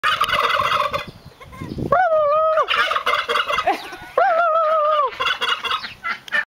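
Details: Domestic turkeys gobbling at arriving visitors: rough, rattling gobble bursts at the start and end, with long, steady whining notes held for about a second in between.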